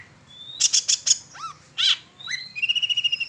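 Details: Long-tailed shrike singing as a lure to draw out other shrikes: a rising whistle, four quick high bursts, a looping slurred note, then a fast rattling trill of evenly spaced notes.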